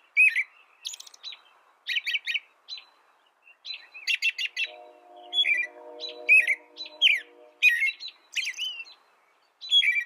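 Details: American robin delivering caroling phrases in clusters, whistled and slightly buzzy with high squeaky edges, separated by brief pauses; a low droning hum rises in the background for a few seconds midway.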